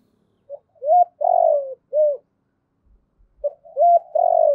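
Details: Spotted dove decoy bird calling in the giọng thổ style: a soft short note, a hooked coo, a long, slightly rough coo that falls away, then a clipped hooked coo. After a pause the phrase starts again. Background is quiet.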